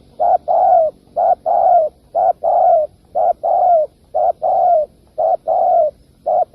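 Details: Spotted dove cooing for lure trapping: rhythmic repeated pairs of low hoots, short then long with a slight downward slide, about one pair per second over several seconds.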